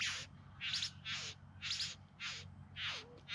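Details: Yarra Valley bowerbirds near Melbourne, filmed September 2020 during courtship display: five loud, coarse, hissing buzzes, each about a quarter second long, spaced evenly with short gaps, some ending in a falling slur.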